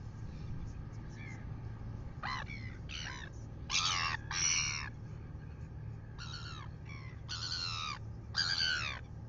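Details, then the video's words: Red-billed gulls pestering a royal albatross in New Zealand at 6:27 in the morning, filmed by a live nest camera: a run of loud, grating, drawn-out squawks in irregular bursts after two seconds, with constant low wind noise. "Red billed gulls annoy OGK"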